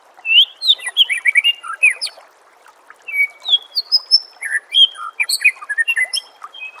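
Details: White-rumped shama song for training contest birds: rich varied whistles, rising slurs and sharp high notes in two long bursts separated by a brief gap.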